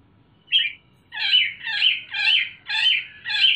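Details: Sumatran leafbird, young and kept in a cage, calling loudly: harsh, rasping notes repeated about twice per second in a steady series after one short opening note.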